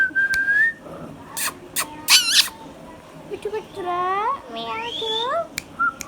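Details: Green Indian ringneck parakeet kept as a hand-tame pet: an opening rising whistle, harsh screeches, then nasal speech-like syllables sweeping upward, ending with a short whistle.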